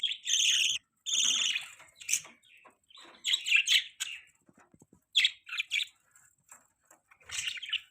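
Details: Budgerigar mating call: two long, raspy chirping phrases open the recording, followed by scattered sharp tweets and short chattery bursts separated by pauses.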